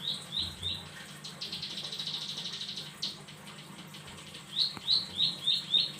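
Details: Bar-winged prinia singing actively: high, thin chirps repeated about three times a second, a dense buzzy rattling trill in the middle, then more sharp, rising chirps at the end.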